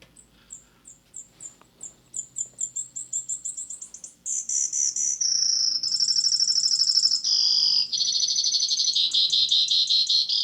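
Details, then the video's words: Brewer's Sparrow song, known as the sparrow that swallowed a canary: a long song opening with a series of high, thin notes that speed up into a trill, then shifting through buzzy, rapid trills at varying pitches. "If you might remember, I told you I'd play a recording of Brewer Sparrow, the sparrow that swallowed a canary. Here's a song from the Sibley app."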